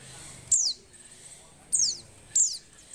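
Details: Breeding-condition female Oriental white-eye calling to encourage males to sing; three bright, high, falling chirps spaced about a second apart over low background noise.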